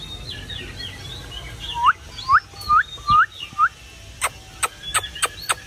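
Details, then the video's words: Oriental magpie-robin singing as summer arrives. A series of clear upslurred whistles repeats about twice a second. The whistles follow softer warbling and give way to several sharp clicks. "Chòe than uốn hót đón hè sang"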